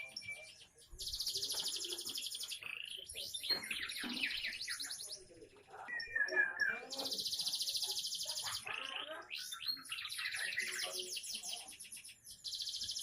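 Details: Young canary singing a varied isian song: long buzzy, high rattling trills alternate with clusters of quick slurred whistles and brief warbled notes, almost without pause.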